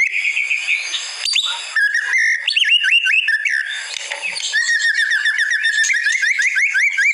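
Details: White-rumped shama song for masteran training: a steady whistled tone, then short rising slurred whistles repeated in quick rhythmic series, about two or three per second, with brief clicks between phrases.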